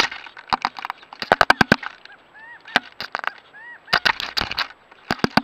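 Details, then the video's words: A male woodpecker, either Gila or Ladder-backed, hammers on a trail camera until it breaks: sharp dry knocks in irregular bursts and quick rapid runs, with a few arched nasal calls heard between them. "Another camera pecked and broken by a woodpecker"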